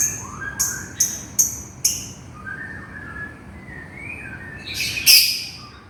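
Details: Lovebird calling its companion: four quick, sharp high clicks or chips in a row, then soft warbled whistles, ending with a louder harsh burst near the end.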